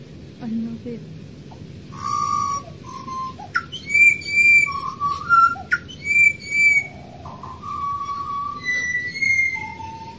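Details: Australian pied butcherbirds, wild birds, singing a rich sequence of loud, clear flute-like whistles rising and falling in pitch, phrases about a second apart, while birds fly and move about.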